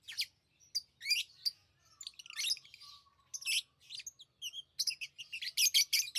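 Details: Lovebirds chattering: dense shrill chirps and squeaks, sometimes overlapping as if several birds call, growing busier and louder toward the end.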